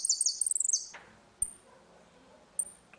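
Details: Saffron finch with a ringing dispute song used to teach young birds: a quick burst of bright high descending notes, then two isolated thin chips.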